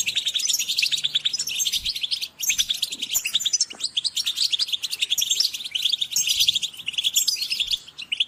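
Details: Several European goldfinches calling together, intended to motivate birds: unbroken chattering of high tinkling notes and short trills, with a few brief pauses and faint low thumps.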